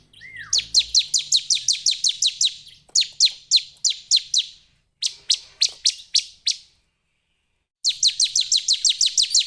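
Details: Bar-winged prinia (Perenjak Jawa, ciblek) singing: rapid bursts of sharp, high, clipped notes, about three per second, in runs of roughly ten, broken by brief pauses before resuming; quiet background with no other clear sounds.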